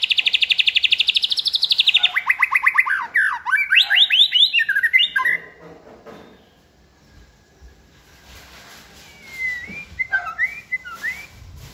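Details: A caged young White-rumped shama sings varied phrases on a table: rapid repeated whistled notes, then swooping rich phrases that fade around six seconds, followed by quieter twittering.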